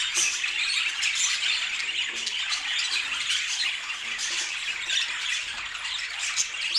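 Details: Pet budgerigars chattering in a dense, continuous stream of high squawks, chirps and warbles, with many birds overlapping steadily throughout and no pauses.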